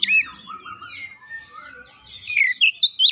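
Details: Oriental magpie-robin singing as a lure for other birds. Softer slurred and falling whistles drift through most of the clip, then a few louder, clear whistled notes come near the end.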